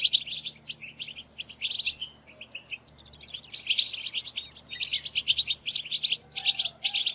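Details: European goldfinches chattering as a group (betbeta), the location calls used to stir males to sing and mate. Bursts of rapid, ringing twitters alternate with softer, sparse chirps in the middle, then swell again.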